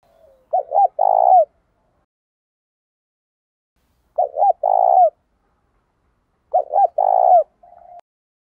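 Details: Spotted doves, male and female, in a recording used as a lure to provoke fighting and draw wild doves in quickly. Three mellow cooing phrases, each a couple of quick short notes then a longer rolling coo, about three seconds apart.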